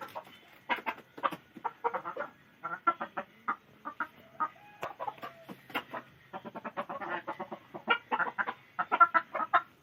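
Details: Chickens keep up continuous low clucking in quick irregular bursts, with a few longer drawn notes mixed in.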